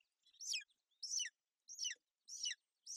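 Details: A golden eagle female on her nest in Bucovina, sheltering her chick from inclement weather on 28 May 2021. Five rough, high, descending chirps come evenly, about every 0.6 seconds.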